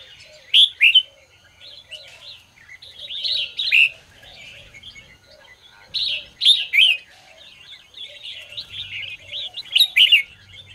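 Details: Morning red-whiskered bulbul song, used to train and stir other bulbuls; repeated loud, sharp whistled phrases every two to three seconds over continuous softer chatter, with faint low notes below.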